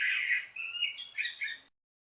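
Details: Common blackbird song fragment: a loud, full fluted opening note followed by a run of quicker, higher warbled notes, cut off abruptly after under two seconds.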